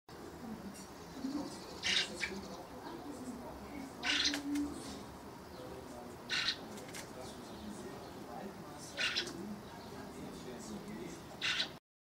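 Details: A young Eurasian blackbird begs for food after its mother coaxed it to leave a balcony. It gives five harsh, rasping begging calls, one every two to three seconds, over a low background rumble.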